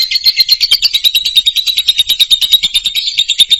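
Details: Lovebird singing loudly in Indonesia, a recording meant to stir moulting or silent birds into song: a steady, rapid, ringing chatter of sharp, metallic notes with no pauses.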